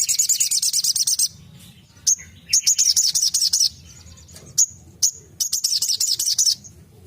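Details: Sogon (crimson sunbird) delivering 'tembakan' bursts: shrill, fast pulsed trills repeated in several bouts, separated by short silences and single high chips.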